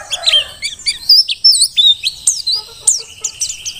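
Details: Vigorous Merapi dakun mountain white-eye song for tutoring other birds: a few lower chattering notes, then high, well-spaced whistled slurs and sharp downward chirps.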